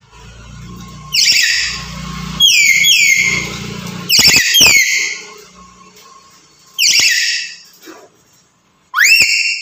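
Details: Black-capped lory, a caged bird said to talk and sing energetically: loud, harsh, descending screeching calls in bursts, some doubled, separated by pauses, ending with a rising shriek, over low background hum indoors.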